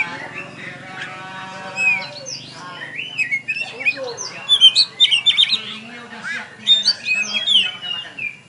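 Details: Champion oriental magpie-robin singing at a bird contest in Tebas, just after being hung up: rapid varied whistled phrases, rising and falling slurs and sharp chirps, with a low steady hum and crowd sounds beneath.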